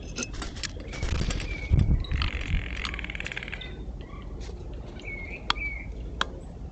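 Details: Early-morning blue jays at sunflower seeds alongside a black squirrel; a rasping, layered call lasting over a second, framed by brief whistled notes, clicks and low rumbling noise.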